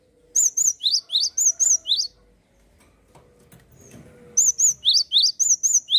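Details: Energetic Java sparrow song played to get young or stalled birds singing: two runs of evenly spaced chirps, each alternating a high flat note with a steep downward note, separated by a soft noisy gap.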